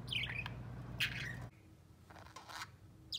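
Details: Three pet budgerigars sharing a cage and playing together make a few rough, falling chirps with gaps between them, faint and partly quiet near the end, with a low hum behind.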